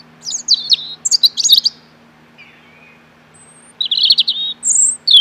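A robin sings short, high, twittering phrases separated by brief pauses, including a thin sliding whistle. A faint low hum runs underneath.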